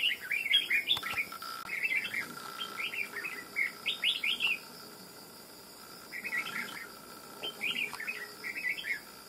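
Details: Red-whiskered bulbul caught from the wild after nearly two months of trapping, said to fan its feathers and sing with a loud bell-like voice; long runs of quick, liquid, chattering whistled notes in two main bursts, faint hum beneath.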